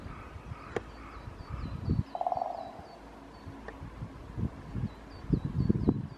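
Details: Great spotted woodpecker at Shunkunitai wild bird park, Nemuro, eastern Hokkaido, gives one quick drum roll: under a second of rapid knocks that fade out. Wind rumbles and low thumps run throughout.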